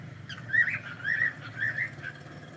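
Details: Cockatiel kept as a pet, heard on a live stream making three or four short wavering chirps in quick succession over a constant low hum.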